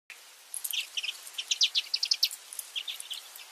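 Newly hatched redpoll chicks give thin, high, squeaky peeps in quick bursts, several chicks calling over one another, with a faint hiss behind.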